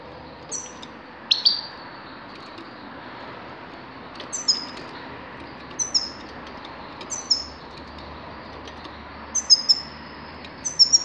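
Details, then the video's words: Recorded in 2019, a grey-crowned goldfinch utters high, clipped twittering notes in small clusters every second or two, growing livelier toward the end, over a soft continuous background hiss. "Седоголовой щегол"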